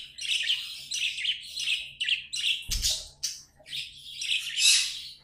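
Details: Pet budgies sing in rapid, chirpy warbled phrases, bright and buzzy, broken by a soft low thump partway through.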